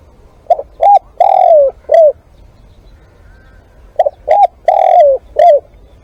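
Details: Decoy spotted dove repeating its coo phrase twice. Two short hollow notes lead into a long downward-sliding coo and end in a short arched note, with a pause of about two seconds between phrases. A low hum sits underneath.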